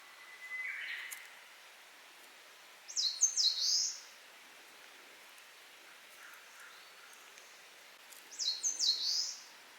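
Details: Eastern crowned warbler singing two high, hurried phrases about five seconds apart. Each phrase is a few sliding thin notes ending in a buzzy drawn-out note. Another bird gives a brief lower whistle near the start, over faint outdoor hiss.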